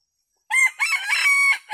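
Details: A decoy junglefowl rooster, said to be calling a flock of wild red junglefowl to come and feed, gives a single short, clipped crow: a harsh opening note, a broken, strained middle and a drawn-out ending.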